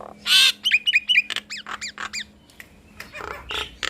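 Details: Nias hill myna calling in a duet meant to provoke other mynas: a loud harsh burst, then a series of short sharp whistled notes that each dip and rise, followed by softer scattered clicks and squawks.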